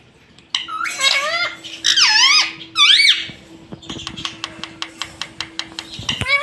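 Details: Talking pet rose-ringed parakeet in a small room, repeating words like "Mummy Papa" and "Mitthu": three shrill, squeaky, wavering phrases, then a run of sharp ticking taps about once a second with a faint steady hum.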